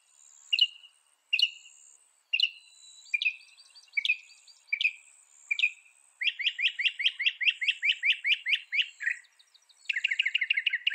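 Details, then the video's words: Northern mockingbird, the mockingbird of North America, singing: sharp chirped phrases repeated about once a second, then a long rapid series of bright, evenly spaced notes and a second fast burst, with a faint steady high hiss behind. "Veja o canto do pássaro, ave zombeteira"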